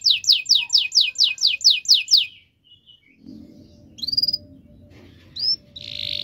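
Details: Canary song played to coax mute canaries into singing: fast run of repeated descending high notes, a brief pause, then scattered upswept whistles and a buzzy burst over a low rumbling background.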